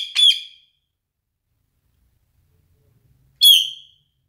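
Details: Pet parrot producing two brief, loud, nasal squawk-like sounds about three seconds apart, with silence between them.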